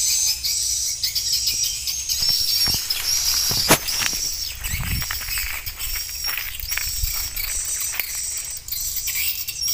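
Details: Swiftlet calling recording, updated with added roosting and pulling sounds meant to make passing birds stop and enter the nest house: overlapping high chattering chirps, steady and crowded, with some low thumps and rustling.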